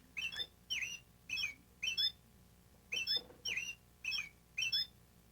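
American Robin singing short, clear, whistled phrases that rise and fall, given in quick succession with brief pauses between them. The background is quiet.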